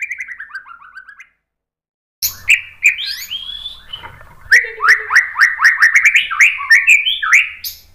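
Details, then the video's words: Song of a White-rumped shama for training cage birds: falling whistled notes, silence, then a burst of loud varied whistles and sweeping slurs in a quick, uneven flow. "MASTERAN MURAI BATU biar EMOSI NYAUT jadi GACOR BONGKAR MATERI TEMBAKAN | PANCINGAN MURAI"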